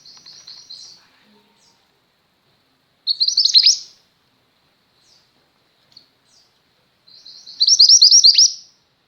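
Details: Tutor song of a female mountain mantenan white-eye for training pet white-eyes: three separate bursts of rapid, high chirping notes, each starting soft and swelling into a dense twitter, with silence between.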